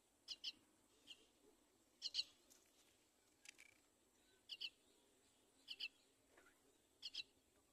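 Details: Myna mother with her baby at the nest edge; paired high chirps repeated roughly every second, with faint softer notes between.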